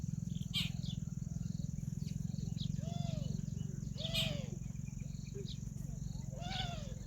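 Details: Peahen, female Indian peafowl, giving three short arched, nasal harmonic calls spaced one to two seconds apart, over a steady low hum, with scattered chirps from other birds in the background.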